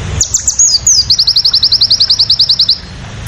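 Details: Crested jay song: a few high slurred whistles, then a fast, even run of about twenty sharp, high-pitched notes, roughly twelve per second, over a faint background hum.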